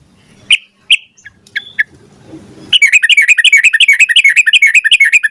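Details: Sooty-headed bulbul singing lively, long rolling phrases meant to coax a bird to sing quickly: several isolated high chirps, a pause, then a rapid, even run of bright chattering notes that continues to the end.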